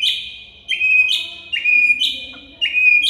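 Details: White-rumped shama master song for getting silent birds to sing; a two-part phrase repeated about once a second, a buzzy high note dropping to a pure steady whistle.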